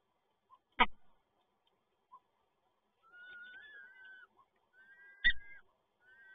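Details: At the PGE Toruń peregrine falcon nest in Poland on 7 May 2022, during a male's prey delivery, thin drawn whining calls rise and fall, punctuated by two loud knocking thuds.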